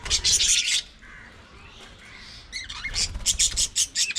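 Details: Budgie squawks: a dense scratchy burst, a quiet pause with faint warbling, then a fresh series of harsh, rapid chirps and rasping notes.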